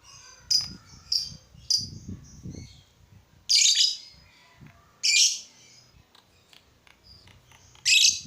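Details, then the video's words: Lovebird calling to get other lovebirds singing: short, sharp high chirps at first, then three loud harsh squawking bursts spaced about one and a half to three seconds apart, with soft low background noises. "Suara burung lovebird ini ampuh bikin lovebird lain ikut gacor"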